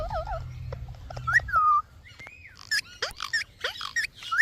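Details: Parrot vocalizing with a wavering whistle, a clear sliding whistled note, then a run of short sharp squawks and chirps; low rumbling noise during the first part.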